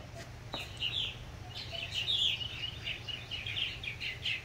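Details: Purple martin adults calling to encourage new fledglings: a busy run of short chirpy, warbling notes, many overlapping, continuing throughout with steady low hum underneath.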